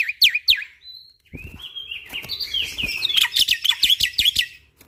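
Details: Black-winged starling training song with shot-like notes: two sharp whistled slurs, a long drawn buzzy note, then a run of quick, strident rising whistles.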